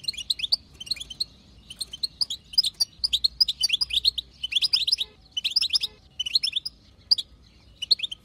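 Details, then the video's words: Batbata chatter from a wild-type female European goldfinch, played to spur male song: lively twittered phrases in bursts roughly every second, each a cluster of quick ringing notes. "بتبتة حسون خلوي تهبل الحسون تخلي يغرد غصب عنو"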